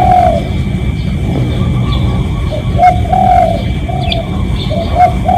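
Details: Spotted dove, a real decoy recording for luring doves: low, hollow coos in a steady string of short and longer notes, against a constant low hum with faint distant chirps.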